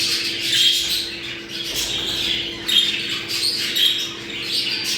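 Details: Budgerigars' mating sound, used to bring birds into breeding condition: dense scratchy chattering and warbling with short bright chirps, over a steady low electrical hum.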